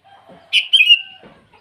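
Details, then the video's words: Sooty-headed bulbul calling a rival in the morning, a single bright, slurred whistled phrase that drops off, with faint lower chirps before and after it. "Suara burung kutilang memanggil lawan di pagi hari"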